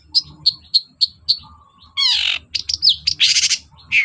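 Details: Long-tailed shrike lure song for reluctant singers: five sharp evenly spaced chips, a short low whistle, then a burst of harsh rasping, twisting whistles and noisy chatter.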